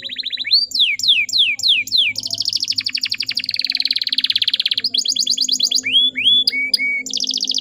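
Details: Canary lure call meant to draw song from untrained males. Sweeping looped notes repeat quickly, then a long dense buzzy roll, followed by scattered chirps, flat whistles and a final high trill.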